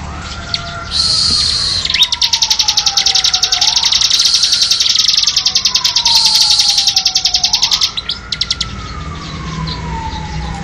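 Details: Bar-winged prinia song for tutoring caged songbirds: rapid, high, dry repeated notes in long fast bursts, with a brief pause near the end, over a steady rising-and-falling siren-like wail throughout.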